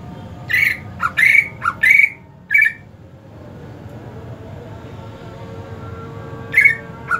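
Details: Kept greater green leafbird during the hot season sings a quick run of scratchy whistled notes alternating with low dips, falls silent for several seconds, then adds two more notes.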